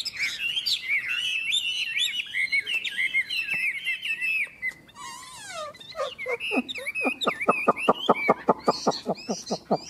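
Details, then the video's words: Chinese hwamei, two birds singing against each other in a contest: a rich jumble of warbled whistles, then a falling slurred note, then a fast, steady series of short, sharp descending notes repeated rapidly. "Họa mi hót đấu"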